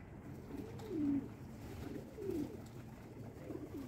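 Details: Pigeons at breakfast feeding time give low, soft cooing phrases that rise and dip, with two clear coos about a second apart over a steady low background hum.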